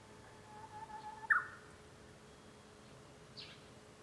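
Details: Japanese bush warbler heard from a room at home on 5 May 2013: a faint low whistle swells, then ends in a short, loud flicked phrase. A thin high note follows, over a steady background hum.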